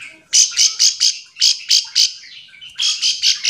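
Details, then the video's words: Bar-winged prinia call meant to provoke others to sing back; repeated sharp, high, slightly buzzy notes about five per second in two series, a short warble between. "Ciblek sawah memanggil teman AMPUH sekali memancing ciwah macet jadi bunyi sahut sahutan"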